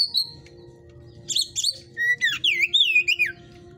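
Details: Oriental magpie-robin from a breeder's cage in 'hot type' song: after a brief whistle, bursts of sweet, sharply looping whistled phrases and slurred trills come thick and fast, over a steady low hum.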